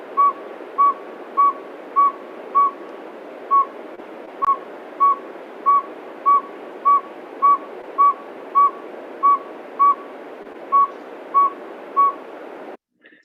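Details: Northern saw-whet owl, Pennsylvania, toot call: a long, even run of about twenty clear, mid-pitched whistled toots, nearly two per second, likened to a truck backing up, over steady background hiss.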